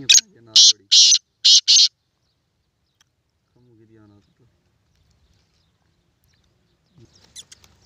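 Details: Black francolin calling: a sharp, harsh burst of four loud, very high, rasping notes in quick rhythm, the last two close together, followed by near silence with a faint low voice and a short rustle.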